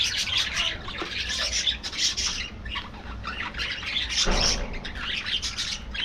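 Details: Budgerigars kept as a colony in an aviary, calling all at once: high twittering and chirps in clustered bursts, with a brief low thump near the four-second mark.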